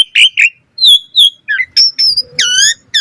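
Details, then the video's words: Asian pied starling singing a training song for other starlings: clear whistled notes, a short rising slur, then a harsh buzzy nasal note with stacked overtones, phrases separated by short gaps. "Jalak Suren Gacor Full Isian Cocok Buat Masteran Suara Burung Jalak Agar Gacor Full Isian Mewah"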